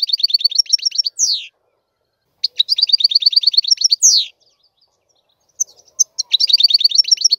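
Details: European goldfinch repeating phrases of quick high twitters and fast trills, each closing with a long downward-slurred note, separated by brief silences.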